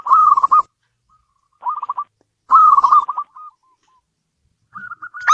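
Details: Local zebra dove singing indoors: bursts of soft, quickly repeated trilled coos at a steady mid pitch, several phrases separated by short pauses, the last rising slightly.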